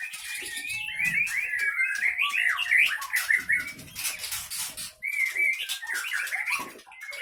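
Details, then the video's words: White-rumped shama from Leuser, Aceh, a captive-bred strain noted for sharp notes and mimicry; rapid dense warbled phrases of twisting whistles, a pause near five seconds, then another burst. "Murai Batu Gunung leuser Aceh"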